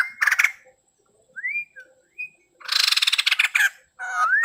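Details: Male white-crested laughingthrush giving short, scattered, upslurred whistles between loud rasping chatter bursts, with silent pauses in between.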